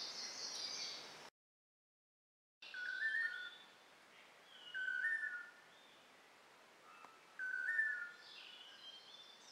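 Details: Long-tailed manakin calling during its courtship dance in a humid Costa Rican rainforest: three clear whistled notes, each slightly rising, spaced about two seconds apart, over a steady background hiss of insects.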